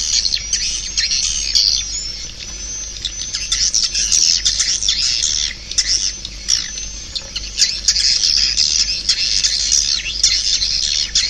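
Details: Long stretch of swiftlet calls: high twittering and chirping from many birds in uneven waves, with thin whistled notes threaded through.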